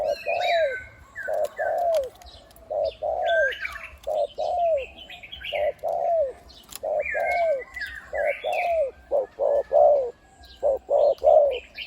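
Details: Big-voiced caged decoy spotted dove of the one-'kuk' kind, cooing 'khu-ang' nearly continuously; evenly spaced deep, falling coo notes about 40 a minute, ending in a faster cluster, with scattered high chirps from other birds and a brief wing flutter.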